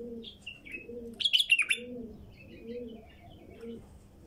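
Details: Wild female bulbul singing short whistled, warbling phrases, with a louder burst of bright, tumbling notes midway, over steady low cooing of doves repeated about once a second.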